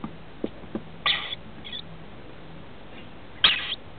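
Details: Rainbow lorikeet nest in a house roof, adults feeding young aged 21 and 17 days, October 2013: a few faint taps, then two separated grating, buzzy bursts about two seconds apart.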